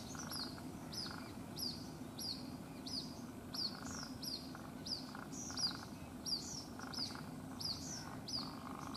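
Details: Baby white-breasted waterhen calling constantly for its mother at a house in Rajasthan, India; a long run of shrill, thin peeps, each dropping in pitch, repeated at a steady brisk pace with faint background noise.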